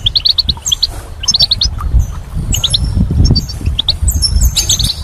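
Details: Spring goldfinch twittering in quick chirp clusters mixed with thin high trills and buzzes, set against a fairly strong low rumble.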